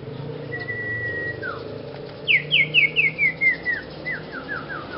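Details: Strange song of a young sirpu: a long level whistle and a short downslur, then a rapid series of about ten short descending whistled notes, slowing and fading toward the end.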